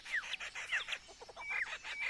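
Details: Superb lyrebird in Australian rainforest mimicking a kookaburra's laugh: rapid, harsh, chuckling notes with sharp whistled sweeps, repeated several times a second over quiet forest background.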